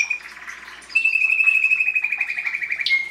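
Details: Belgian canary singing to encourage chicks in the breeding season, 2016: a long sustained trilled note around mid-high pitch held for two seconds, with a faint busy twittering passage before it and a bright whistle at the end.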